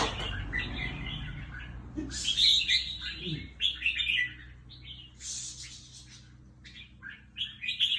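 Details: Caged red-whiskered bulbul kept as a competition bird, singing bright chirpy phrases in short bursts separated by brief pauses, with a faint low human voice in the background.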